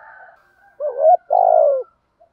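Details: A spotted dove phrase meant to excite kept birds, from male and female callers: faint coo at the start, then a warbling short note and a drawn-out, softly falling coo.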